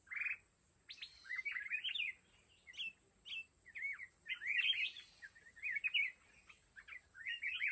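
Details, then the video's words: Mountain red-whiskered bulbul used as a decoy in a fighting trap, singing a string of short, bright whistled phrases with quick up-and-down slurs, while a steady thin high tone runs throughout. "Chào mào núi bẫy đấu"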